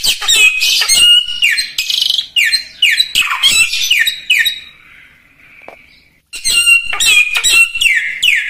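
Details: Common iora in full song for tutoring other songbirds: rapid bursts of harsh, downward-swooping whistles and buzzy squawks, a drawn-out fading note, a short pause, then the rapid phrases resume.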